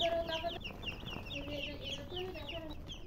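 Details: Chicks chirping, from a flock where many high, short peeps repeat rapidly and overlap, mixed with lower clucks from adult hens beneath a steady background hum.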